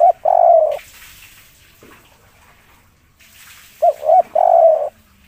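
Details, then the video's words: Rooftop spotted dove delivering a fervent 'kuk 3' coo, praised as sweet-voiced and rare: two short low notes followed by a longer drawn-out hooting coo, repeated after a three-second pause, with soft hiss in between. "tekukur kuk 3 ngamuk diatas genteng suara merdu dan langka"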